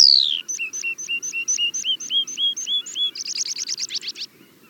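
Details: Meadow pipit song from grassland or moorland: a falling whistle opens, followed by evenly repeated paired high notes, then an accelerating buzzy trill.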